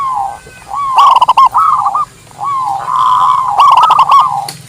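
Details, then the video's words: Local zebra dove song, for luring wild doves and as a master song for training: soft, mellow cooing phrases broken by quick rattling staccato bursts, with short pauses between phrases and a faint steady background tone. "Suara Perkutut Lokal Terbaru 2023"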